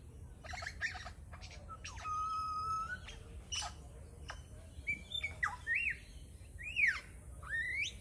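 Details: Male lyrebird mimics other local birds in a fast medley: sharp clicks, a held whistle, then several loud rising and falling whistled slurs, with a faint hiss behind.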